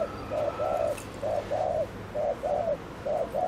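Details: Rapid lure coos of a decoy spotted dove: evenly spaced pairs of soft, hollow notes, short then long, over steady background hiss and a faint thin tone.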